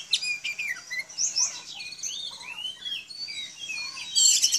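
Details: Oriental magpie-robin kept at home, an ordinary village bird, in song meant to get other magpie-robins to reply: softer, flowing whistled slurs sweeping up and down, mixed with brief high chirps and a louder bright burst at the end.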